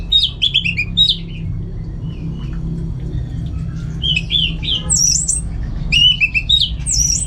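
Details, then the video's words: Orange-headed thrush, home-kept, delivering clusters of sharp, squeaky whistled notes in bursts separated by short pauses, some phrases reaching very high, with low background hum. "Super Kicauan ANIS MERAH Gacor"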